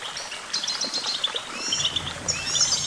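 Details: Brief burst of goldfinch twittering: bright, quick chirps followed by a rising liquid trill.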